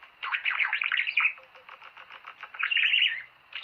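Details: Budgerigar warbling aimed at stimulating mating. Continuous fast chirps and buzzy notes form a rolling chatter, growing louder in a final burst of squeaky warbles.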